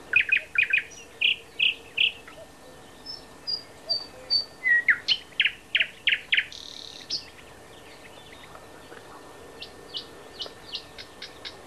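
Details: Thrush nightingale singing at Háj near Turčianske Teplice, Slovakia: varied loud phrases of rapid clicking notes, pure high whistles and rattling trills, fast and irregular, then softer scattered clicks after a pause.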